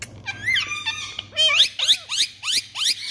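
A ringneck parakeet chatters in quick, high, squeaky syllables, with a run of five or six sharp repeated notes about three per second, over a faint steady hum.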